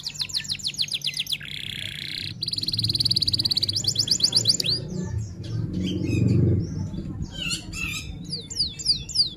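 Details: F1 canary tutor song in roll-and-shots style: fast whistled notes, a buzzy note and metallic rolls, then scattered chirps and sharp upswept calls, with a low rumbling murmur in the middle section.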